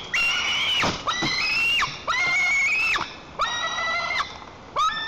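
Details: Tantrum of a white-tailed eaglet protecting its nest from the adult female in Lower Kama National Park, Tatarstan, 21 July 2023: five loud, piercing harmonic cries, each held level then plunging abruptly, with short gaps between.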